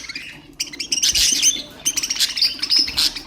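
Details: Budgerigar stimulation sounds from ornamental birds: a soft rising chirp, then loud buzzy warbling with grating, scratchy notes and brief clear whistles.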